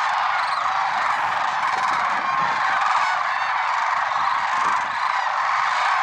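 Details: Large gathering of lesser sandhill cranes at Merced National Wildlife Refuge, early morning, February 6, 2023: loud, continuous chorus of rolling trumpet calls, individual higher notes occasionally standing out above the mass.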